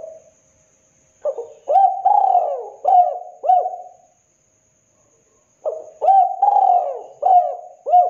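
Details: Spotted dove calling loudly, a low mellow cooing phrase of several hollow coos, the middle notes drawn out and falling, given twice with a pause of about one and a half seconds between.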